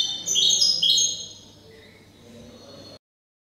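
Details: European goldfinch hybrid (mixto) kept in silvestrismo singing a short, high, bright twittering burst of quick metallic notes lasting under a second, then a faint trailing note before silence.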